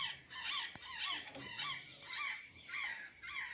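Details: Scratchy, falling calls of an azure jay feeding on banana and sweet potatoes in Santa Catarina, repeated roughly every half second, with a sharp tap early on and soft low noise.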